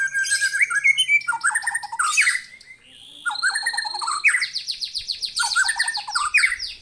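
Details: White-rumped shama in full song, responding to a lure recording: rich, fast-varied phrases of whistles, rapid repeated chattering notes and sweeping slurs, nearly continuous with one brief pause.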